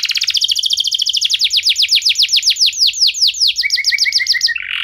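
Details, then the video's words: Canary song played to trigger other canaries to sing: a very quick run of repeated swept whistles that gradually slows and lengthens, then a short burst of low fast chips and a buzzy ending. "Kenari Anda Bisa Gacor Seketika Dengar Pancingan Kenari Nembak Joss Ini"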